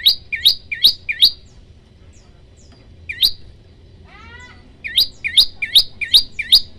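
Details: Tutor recording of a bar-winged prinia singing 'tembakan', a long burst in one breath: quick runs of hooked, rising chirps, a brief pause with a soft trill, then another rapid run of the same notes.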